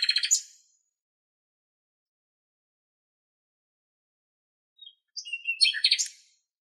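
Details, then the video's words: Nightingale from Greek nature heard in two short bursts of busy twittering notes separated by several seconds of silence. "Αηδόνι Κελάηδημα - Nightingale singing"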